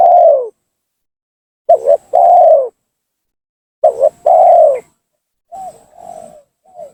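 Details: Spotted dove lure call meant to provoke rivals into descending: a long falling coo, then two phrases of a short double note and drawn-out coo, followed by faint soft coos.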